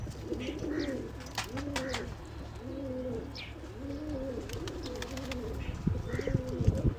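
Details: Pigeon cooing, low rolling coos that rise and fall, repeated steadily about once a second, over a constant background hum with scattered clicks and tapping noises.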